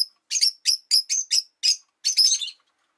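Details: Five caged rosy-faced lovebirds by a window, calling freely in winter: a quick string of six shrill, squeaky chirps about three per second, ending in a longer harsh chattering burst.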